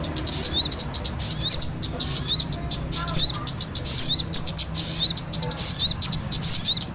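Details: Trapping lure of kemade mixed with sogon, calling noisily: bursts of high twittering chirps with looping whistled phrases repeating roughly every second, steady through seven seconds over faint low noise.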